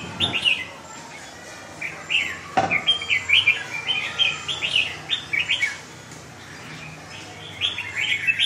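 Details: Red-whiskered bulbul with no tail fighting hard, giving rapid runs of sharp, warbling chirps in clustered bursts with short pauses, plus a single loud click near the middle and soft background hiss.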